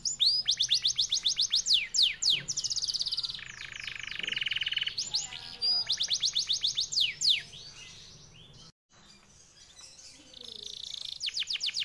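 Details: Canary, F1YS type, delivering long fast clear song with rapid series of high sweeping notes, a lower buzzy rolling trill, brief pause near the end, then renewed high trilling phrases.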